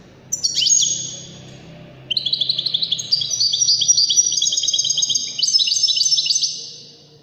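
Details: European goldfinch singing in the Waddani manner as a lesson for chicks and hybrids: an opening downward sweep, a short lull, then a long rapid run of high tinkling twitters and buzzy trills.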